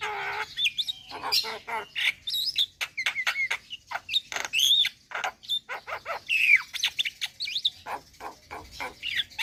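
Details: Javan myna in varied song: rapid squeaks, slurred whistles and harsh chattering notes run together.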